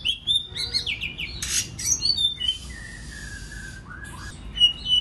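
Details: Song of a White-rumped shama used for training other birds to sing: quick whistled notes, a harsh rasping burst, then a long level whistle and bright upslurred phrases.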